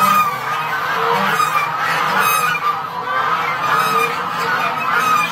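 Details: White Chinese geese honking steadily, overlapping nasal calls that rise and fall with little pause, several birds calling together.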